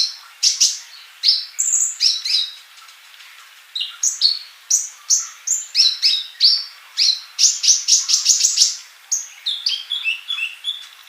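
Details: Male olive-backed sunbird in full song, used as a tutor for young birds that do not sing yet: rapid high thin chirps and short whistled notes, many slurred up or down, in fast bursts with brief pauses.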